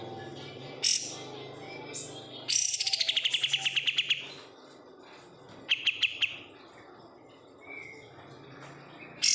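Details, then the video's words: A captive oriental white-eye from a bulk-caught batch sings a long, rapid, slightly falling trill, a shorter trilled burst, and scattered high chirps. "menikmati suara kapas tembak"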